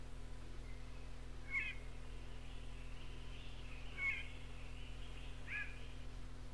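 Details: Barred (yellow-eyed) cuckoo-shrike from an old cassette of North Queensland tropical rainforest birds, gives three short, nasal, slightly downslurred mewing notes, about two seconds apart, over a steady low hum.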